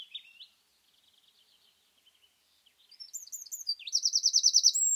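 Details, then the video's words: Eurasian wren in mixed woodland in Scotland sings a very high, rapid series of chips and twitters that builds into a loud, fast rattling trill at the end. "Wren song"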